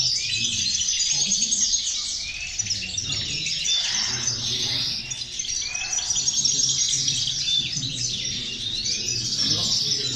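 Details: European goldfinches in full song, used to encourage other goldfinches to sing: dense tinkling, buzzy twittering with quick upward-sliding notes, continuous for ten seconds over a low background hum.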